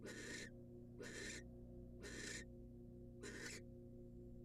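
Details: Wild female barn owl in a monitored nest box, receiving a rat from the male; four harsh, hissing broadband screeches about half a second each, roughly one per second, over a steady low electrical hum.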